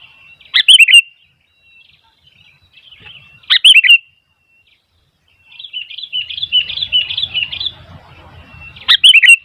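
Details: Sooty-headed bulbul in song with wild bulbuls answering; loud bubbly descending chirp bursts recur about every three seconds, separated by quieter rolling warbled chatter.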